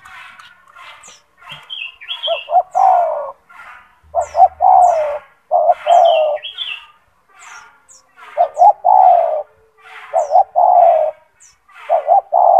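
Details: Kept spotted dove with a loud, big, ringing voice, a constantly singing bird offered as a tutor for other doves: deep hollow coos, two short notes then a long drawn note, repeated; faint high chirps of other birds and a brief low hum.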